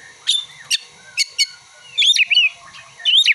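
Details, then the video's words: Oriental magpie-robin (kacer) singing imitated prinia and sunbird material: sharp high chips and steep downslurs, then quick warbled bursts and rising whistled phrases, over a faint steady background hum. "Kacer (materi ciblek dan kolibri)"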